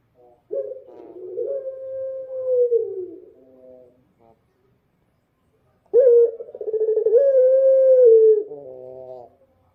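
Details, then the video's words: Dove cooing at night: two long, low, drawn-out coos, each starting with a sharp onset, holding steady, then sliding down at the end, separated by a few seconds of silence. "suara burung puter malam hari//midnight show singing bird dove//"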